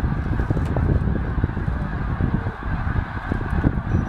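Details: A large flock of snow geese at Middle Creek Wildlife Management Area, Pennsylvania, in 2012, flying from a feeding field to the lake for the night, a continuous roar of overlapping nasal honks and yelps with no pause.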